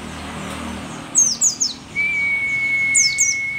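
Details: Mountain white-eye of Merapi, an old, rare, endemic bird in song: a few high, falling chirps, then a long, steady whistled tone, with more chirps over it.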